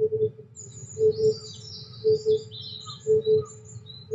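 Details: Low, hollow double hoots of an Oriental cuckoo come steadily about once a second under cloudy skies at 23°C, behind high, thin chirping from small birds, recorded while filming Eurasian white admiral butterflies.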